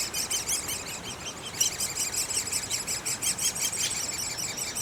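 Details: Great spotted woodpecker nestlings calling from the nest: continuous rapid high squeaky chatter that grows louder after a brief lull, about three notes per second.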